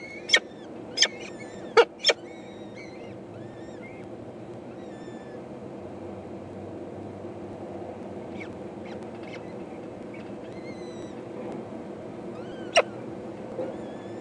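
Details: Four young peregrine falcon eyases beg their mother for food during a feed, recorded 14 May 2012: thin, high, harmonic squeals repeated in short bursts, with loud sharp clicks near the start and again late, over steady background hiss.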